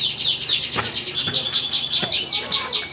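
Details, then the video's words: Male canary song meant to stimulate a female to mate and nest-build: a fast, even, high-pitched trill of repeated notes running throughout, with faint clicks in the background. "اقوى تغريد ذكر الكناري لتجهيز انثى الكناري للتزاوج و تحفّزها على بناء العش CANTO CANÁRIO"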